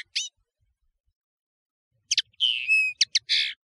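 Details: European serin song, known as nino in Algeria and kamatcho in Morocco, from a tutoring tape: a single high note, a pause, then a short phrase with a drawn whistled slur and buzzy high notes.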